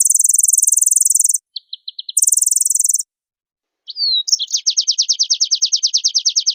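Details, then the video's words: Oriental white-eye in busy song full of fill-in phrases, answering another bird. Two shrill, very high buzzing bursts are separated by quick chirps; after a pause, a falling whistle opens a fast, steady chirping trill. "Suara Pleci Gacor Full Isian Direspon Langsung Nyahuut"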